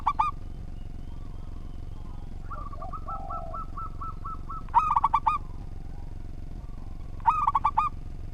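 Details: Local zebra dove (perkutut) in full voice with a well-ordered song, recorded as a tutor for training other birds. Three short phrases of rapid, rolling cooing notes. A fainter series of evenly spaced notes sounds between them over a steady background hum.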